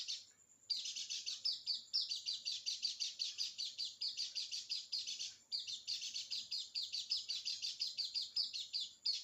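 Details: White-eye used as a lure to set a quiet, reluctant bird singing: long unbroken bursts of rapid, high, twittering chatter, each lasting several seconds and separated by brief pauses, without other noticeable sounds.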